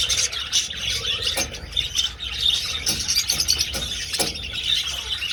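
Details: Budgerigars flying in an old aviary: a dense, continuous chorus of high chirps and warbling chatter from many birds, broken by sharp clicks and thumps.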